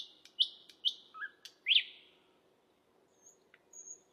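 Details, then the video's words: Asian brown flycatcher song recorded as masteran tutoring material for songbirds: sharp high chirps and short descending whistled notes, scattered with pauses, then fading into faint thin notes and a quiet final chirp. "Masteran sultan sikatan londo"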